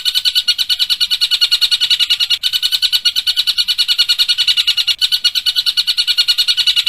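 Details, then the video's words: Long-tailed shrike delivering rapid, sharp kingfisher-imitation bursts known as 'tembakan tengkek buto': continuous high, metallic chattering pulses at an even quick tempo, two short breaks, quiet background. "Cendet Tembakan Tengkek Buto"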